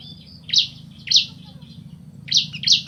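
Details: Bar-winged prinia, male and female answering each other: four short, harsh, high chirps spread unevenly over three seconds, each dropping quickly, with a faint thin high whistle between them and a low hum beneath.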